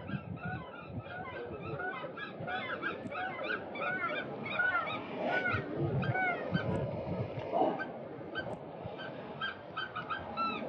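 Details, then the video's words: Eurasian oystercatchers in a group display dance to win a partner, giving a loud chorus of shrill, overlapping, rapid piping over wind or surf; a rare fight in which an older bird bites a younger white-throat-lined bird in the wing and chases it off. "Fighting Oystercatchers / Vechtende Scholeksters"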